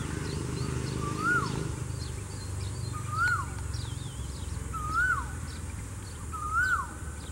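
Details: Female cuckoo singing: clear whistled notes that rise and then drop, repeated about every two seconds, four times, with a steady low background rumble and faint twittering from other birds.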